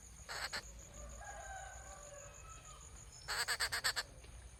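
Rufous treepie giving harsh, rapid rattling notes: a short burst, a pause, then about seven grating notes in quick succession, over a steady high insect-like hiss.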